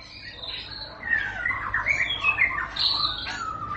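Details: White-rumped shama giving soft, blurred whistled song phrases over a hissy background, rising and falling in pitch.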